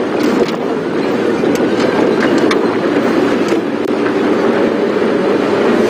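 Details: On a morning safari drive, loud, continuous rattling and rumbling vehicle noise with sharp clicks dominates, with no animal calls.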